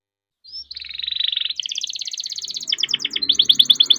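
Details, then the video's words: Kept canary singing to coax others into song: a thin rising note, a buzzy sustained roll, then a run of fast rhythmic pulsed notes growing louder toward the end. "burung kenari gacor panjang nembak rapat cocok buat pancingan kenari macet"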